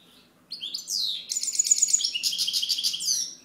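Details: Continuous song of a European goldfinch: a dense, cheerful stream of high, liquid twitters and fast, scratchy buzzing trills lasting about three seconds.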